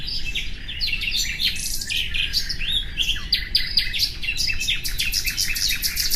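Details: Song of a common nightingale, busy and varied: chattering chirps, short whistles and a falling note, ending in quick repeated staccato pulses, with a low steady hiss behind.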